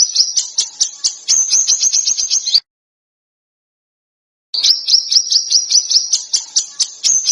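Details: Bird song used as masteran for training contest birds, styled as dense, harsh shrieks with sharp bursts: rapid high chattering notes repeated in quick runs, broken by a two-second silent gap before the shrill series resumes.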